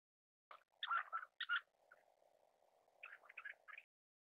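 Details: Black-necked grebe (Podiceps nigricollis), call.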